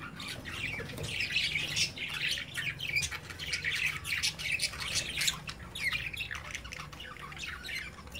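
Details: Young budgerigars at play in a cage, watched by their parents: continuous busy chattering of harsh squawks, short warbles and chirps, rising and falling in loose bursts, with a faint low hum underneath.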